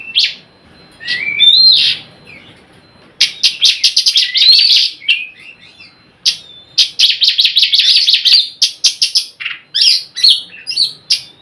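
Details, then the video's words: Oriental magpie-robin 'nyrecet' call used to coax silent magpie-robins into singing. A few clear whistled phrases open, then long runs of rapid, scratchy, buzzy chatter notes in quick succession, briefly pausing before resuming. "Suara Kacer Nyrecet Pancingan Kacer bisu agar mau bunyi gacorr"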